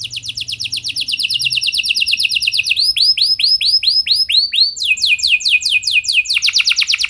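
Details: Continuous canary song meant to spur other canaries to sing: shifting trill phrases move from fast rolls to slower looping notes and back to quick, high sweeps.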